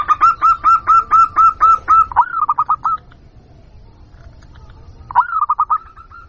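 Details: Zebra dove (local perkutut) lure call used to attract wild birds: a regular string of clipped coos, then a rolling, descending run of notes. After a silent gap, another rolling phrase trails into even coos.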